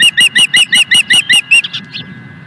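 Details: Osprey at a ranch nest on 16 April 2020 giving a fast, even series of about nine loud whistled chirps, each slightly rising, spaced roughly a fifth of a second apart, then trailing off into softer notes over a low background rumble.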